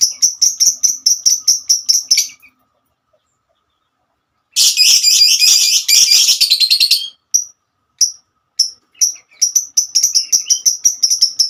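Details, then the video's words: Female lovebird with a long 'ngekek' trill. Rapid piercing chirps are followed by two seconds of quiet, then a dense, harsh chattering burst, and the bright chirping series resumes at a brisk pace. "Kicauan burung Lovebird"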